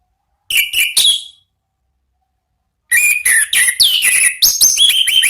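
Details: Orange-headed thrush, song of the ngeplong type meant to lure and stimulate kept birds: a short trio of sharp notes, a silent gap, then a long rapid run of varied chips, buzzy trills and high descending whistles.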